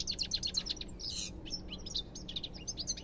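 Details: Lively European goldfinch song of quick, bubbling chirps and fluttering trills, with a short harsh buzzy phrase near the middle, then more rapid twittering to the end.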